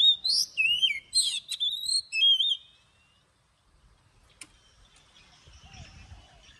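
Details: Oriental magpie-robin morning song in the wild forest style with long drawn notes, used to train birds: loud whistled phrases of sliding and rising notes mixed with buzzy chatter for about two and a half seconds, then near silence with a faint click.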